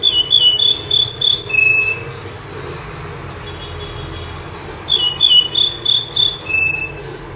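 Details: Common nightingale, the bouh zarhouni or menyar, which sings by day and by night. A quick string of high warbled notes ends in a sustained whistle, then after a quiet gap the same phrase comes again.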